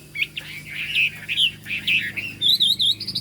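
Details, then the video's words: Chinese hwamei singing 'cao cầu': bright, warbling whistled phrases that swoop up and down, ending in a higher, rapidly wavering trill. "Họa mi hót cao cầu"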